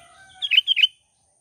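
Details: Sooty-headed bulbul (kutilang) calling to wild bulbuls in the morning: two quick, bubbly, liquid phrases in close succession, each dipping and rising, over a faint steady high hum.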